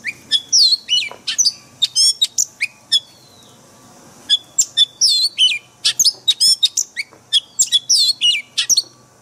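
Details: Oriental magpie-robin 'forest voice' song, played daily to train caged birds, made of loud, evenly spaced high chirps and looping whistled notes in two lively phrases separated by a short pause.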